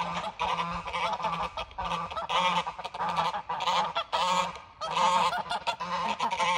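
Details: Mother goose defending, giving loud, harsh, nasal honks in rapid repeated bursts, about two per second, with short breaks between.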